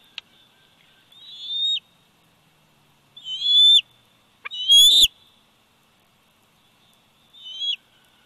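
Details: Bald eagle eaglet, 104 days old, at the Big Bear Valley nest on 27 July 2019, recorded by nest cam: high, thin whistled calls that slide up then drop sharply, in four separate bursts with quiet gaps between them.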